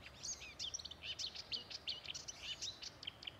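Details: Marsh warbler singing from bushes at Älvkröken on the Ljungan river, Njurunda, Sweden, 14 June 2021: fast, scratchy, varied high-pitched phrases of buzzy notes and chirps, rather distant.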